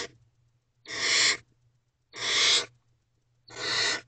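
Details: Nest-box barn owl chick at 1:00 am, 5/1/23, pleading for the mother's attention: three harsh, rasping hiss-screeches, evenly spaced about 1.3 seconds apart, with a faint low hum underneath.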